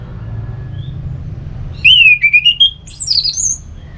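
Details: Ngeplong-style song of an orange-headed thrush, used to make other birds sing: a long wavering whistle that slowly rises, then a cluster of thin, very high twittering notes, with faint low hum behind.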